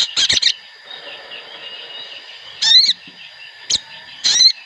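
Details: Sooty-headed bulbuls in a group lure recording meant to get birds singing fast: four short bursts of bright chirps and curved whistled notes separated by quiet gaps, over a faint steady hiss.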